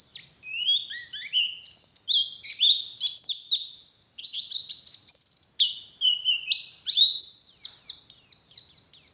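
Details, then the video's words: Forest-type white-eye lure song in the morning: a continuous, varied stream of high twittering notes, sharp slurs and quick chirps at shifting pitches, lively and unbroken for nine seconds. "Suara Burung Pleci Gacor || Pancingan Pleci Ngalas Pagi Hari"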